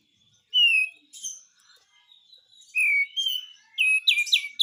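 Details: White-eye besetan song with spaced, clear high whistled slurs and thin chirps, building into quicker overlapping sharp notes at the end.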